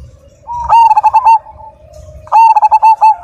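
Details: Zebra dove of the Majapahit type, a loud, vigorous singer kept as a cage bird, giving two bursts of rapid pulsed cooing phrases around a steady low tone, with each phrase a run of quick stuttering notes ending in a longer coo.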